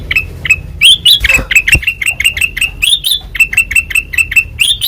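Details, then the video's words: Kutilang emas (ruby-throated bulbul), white-eyed type, in vigorous ngeplong song: quick series of clipped chirps, some rising into higher upslurred notes, with brief low knocks near the start. "Suara Asli Ngeplong Kutilang Emas Mata Putih Gacor Dor"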